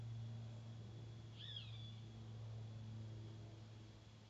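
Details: A roadside hawk gives a single high, down-slurred scream of about half a second, well in the distance, over a steady low rumbling hum, calling in the background while a family of dusky-legged guans feeds on leaves.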